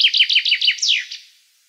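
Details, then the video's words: Common chaffinch, Black Sea subspecies, delivering the end of its song: a quick series of falling chips closing with a longer sweeping flourish, then fading away. "Как поёт Зяблик, черноморский подвид"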